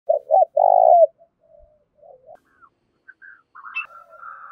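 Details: Spotted dove cooing, used to provoke wild doves and decoy birds into calling: two short throaty notes then a longer rolling purr, followed by softer scattered coos and faint higher whistled notes from other birds.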